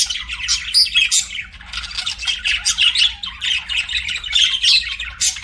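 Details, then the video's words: Several budgies chirping and singing, with lively scratchy warbling punctuated by loud, sharp squawks, the chatter rising and falling in short bouts. "BUDGIES SINGING & CHIRPING"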